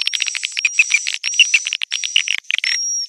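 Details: Swiftlets calling to the young: rapid chirps in short clusters about 98 times a minute. A clear, sustained high tone comes and goes over them.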